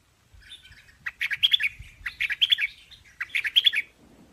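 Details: Chinese hwamei song: three similar phrases of rapid, ringing chirped notes, each about half a second long, repeated roughly once per second over a quiet background.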